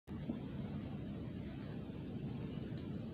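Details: A quiet, steady low rumble with faint background noise, and no animal voice heard.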